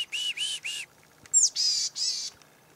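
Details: Morning chickadees at a tree stand during a 2008 hunt: three buzzy notes, then a sharp high descending note and two more harsh, buzzy dee notes in a steady series.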